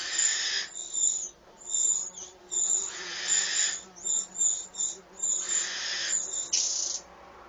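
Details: Eurasian wren nestlings at the nest while their mother feeds them, possibly with a grasshopper: rapid, overlapping rasping hisses and high squeaky chips in a near-continuous clamour.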